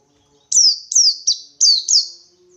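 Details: Ngalas 123 song of a wild white-eye challenging a rival: five bright, sharply falling whistles, three quick ones then two, each fading into a brief trailing buzz, over near silence.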